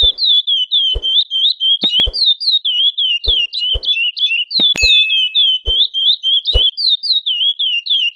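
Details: Soliciting female chestnut-bellied seed finch, repeating quick high twisted chirps roughly three or four every second without pause, while dull thuds and clicks, like a bird hopping on cage perches, sound at irregular intervals.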